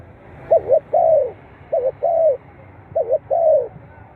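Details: Spotted dove calling, played to encourage captive birds. Three phrases in quick succession, each two short clipped coos and then a longer falling note, in clear rhythm against a low background hum.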